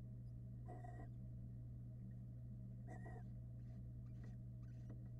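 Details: Barn owl nest in Florida, a hungry family while the male delivers a rat: two rasping, hissing screeches about a second apart, then fainter scratchy bursts, with constant low hum beneath.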